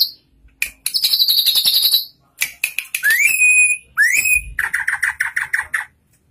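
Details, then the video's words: Tame, actively singing saeran bird giving high buzzy trills, then clear rising whistles, followed by a fast run of repeated chirps. "Burung saeran gunting gacor dan jinak"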